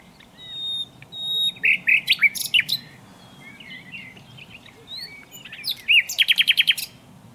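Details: Varied common nightingale song: scattered thin whistles and buzzy slurred notes, then a loud, fast burst of repeated strokes near the end, over a quiet low background hum.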